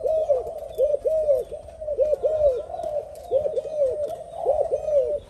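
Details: Spotted dove, a new bird just daring to coo with an older decoy bird; low arched coos in pairs, steadily repeated, with some overlapping softer cooing behind.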